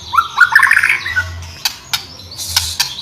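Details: Energetic white-rumped shama song, recorded to train or stir other shamas into singing: opens with a rapid, rising, whistled warble, then scattered sharp clicks and a harsh buzzy burst near the end over a faint low hum.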